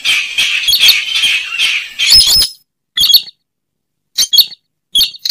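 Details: Slaty-breasted rail lure call: a continuous grating chatter for two seconds, then separate sharp squeaky double notes spaced over a second apart.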